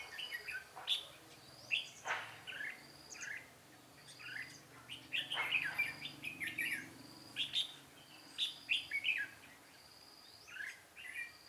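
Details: Red-whiskered bulbul in a singing duel used to lure birds into a trap, Vietnam, 13 March 2017: repeated quick chirpy warbled phrases throughout, with some clicks and knocks between.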